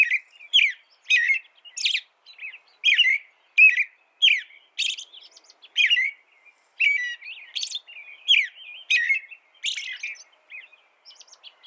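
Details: American robin in sustained caroling: steady whistled phrases of two or three notes, each roughly every half second, mixed with thin, high, squeaky notes. The sound continues without a break.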